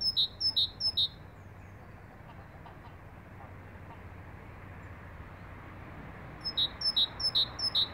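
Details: Great tit singing, called a cheerful whistler: a brisk run of bright two-part whistles, high then lower, opens the recording. Several seconds of quiet hum follow, and then the same ringing phrases start again at a steady pace.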